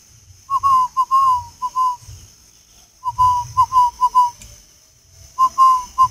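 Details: Spotted dove, the northern Vietnamese 'khách' voice type, giving short cooing notes near one pitch in three bursts of four to five syllables each, separated by pauses, with a steady high hiss in the background.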